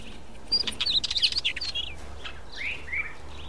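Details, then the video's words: Mountain wheatear, or mountain chat, in open country: a rapid jumble of high twittering, warbled notes and dry clicks in the first second and a half, then two or three separate slurred whistles, with steady background hiss. "Mountain Chat"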